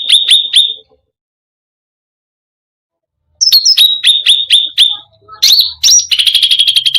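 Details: Cucak rante song meant to provoke other birds: three sharp high chips, a long silence, then a quick run of repeated clipped notes, swooping whistles and a closing rapid rattle.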